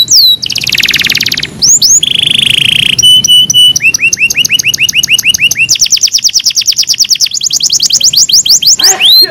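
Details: Canary song on a training recording for canaries: a buzzy rapid rattle, a steady tone, repeated sharp chirps, then long, fast trills of swept notes.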